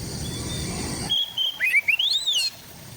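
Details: White-rumped shama in East Java, recorded on an Android phone: after a stretch of noise, a quick run of whistled notes that climb and swoop, ending in a rising slur.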